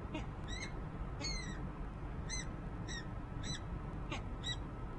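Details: Nest camera in Harrisburg, Pennsylvania, January 19, 2013: the resident female peregrine falcon gives faint, scratchy, harmonic call notes, about eight in five seconds, partly buried under heavy low-frequency background noise.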